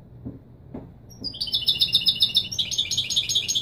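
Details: Singing European goldfinch, Marrakchi Widani style, recorded to teach young birds their song; three soft clicks lead into a rapid, jingling run of high, buzzy trills that grows louder.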